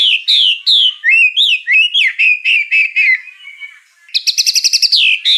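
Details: A white-rumped shama sings with fill-in phrases: loud sweeping whistles and looping slurred notes, then a soft quiet stretch, then a rapid, high ringing trill of repeated notes.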